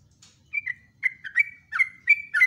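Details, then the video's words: Sooty-headed bulbul singing a rolling phrase of bright whistled notes, short slurred drops repeated in quick bursts, with faint higher chips at the start. "PANCINGAN TRUCUK STRES,ROPELAN TOP"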